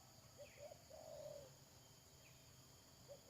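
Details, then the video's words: Spotted dove kept as a trapping decoy, recorded 31 May 2022: soft short coos leading into a sustained low coo, then a pause and the start of another short note, with faint hiss throughout. "Pikat Tekukur"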